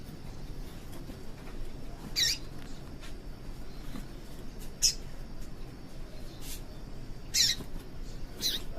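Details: Female yellow-bellied seedeater calling to make males sing: four short, sharp, high chips spaced irregularly a few seconds apart over a steady low background hiss.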